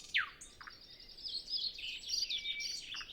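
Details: Nightingale singing early on a windless morning before sunrise; a loud steep downslurred whistle, a short note, then a long flowing high twittering warble.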